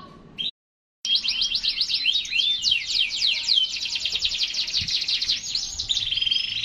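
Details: Canary singing after a brief silent gap: a dense run of rapid, varied trills and sweeping whistled notes, switching near the end to a steady, higher buzzy trill.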